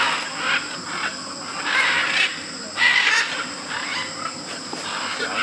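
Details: Macaws with other parrots congregating at a Tambopata clay lick in Peru to eat clay. Scratchy, harsh squawks rise and fall in irregular bursts, one louder shriek near the middle, over an unbroken insect buzz.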